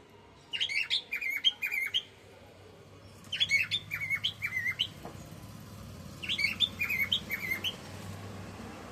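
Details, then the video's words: Female cockatiel singing to a male cockatiel, three separate bursts of bright, warbling chirps and looping whistled notes, each phrase about a second and a half long, spaced by short pauses in a quiet room. "Female Cockatiel singing"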